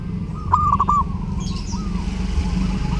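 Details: Zebra dove in full song at Lebaran, intended for tutoring other birds: one short run of rapid, ringing, stuttered coos lasting about half a second, followed by a faint soft note over a constant low rumble.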